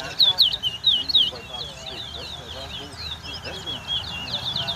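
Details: Towa towa in a singing race at Craig Bridge bird ground, Guyana, 2022: bright, sharply rising whistled notes at the start, followed by a continuous high warbling twitter under background crowd chatter.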